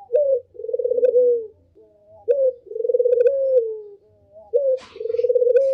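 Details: Barbary dove lure call, three phrases each opening with a brief note and running into a long trilled coo that sinks at the end; a short click sounds near the last phrase.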